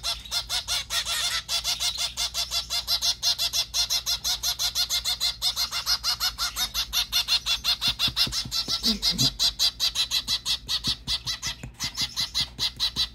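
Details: Hand-fed white zebra finch, recorded 21 December 2023, giving continuous rapid chattering calls at roughly three per second, nasal and buzzy with stacked overtones, plus brief low tapping noises midway.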